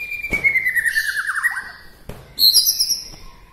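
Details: White-rumped shama from Bahorok, Medan, singing in a way said to stir up other shamas: a long descending buzzy trill sliding down, then a burst of high sharp whistled notes after a short pause.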